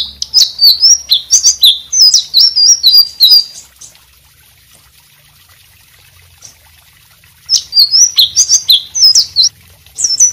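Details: Lively white-rumped shama song meant for training other birds: a three-second run of quick, high, varied whistles, nearly four seconds of quiet, then the bright phrases resume with the same rapid chirping pattern.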